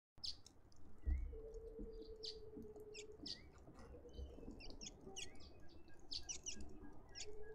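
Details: Cape robin-chat recorded 11 November 2021, giving sharp, high chipping notes about once a second, mixed with brief whistled slurs, over a low steady drone and soft background noise.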